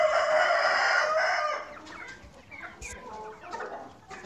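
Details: Rooster on a farm finishing a loud, rich, sustained crow in the first second and a half, then scattered softer clucks and short calls from other chickens.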